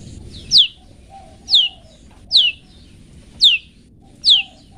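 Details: Long-tailed shrike 'toet toet' tutor song for pet birds: a clear, sharply down-slurred whistle repeated five times, roughly once a second, each followed by a soft lower note.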